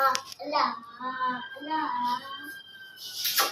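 An Indian ringneck parakeet speaks in a high, child-like voice: several quick word-like phrases, a thin held whistle, then a harsh burst at the end.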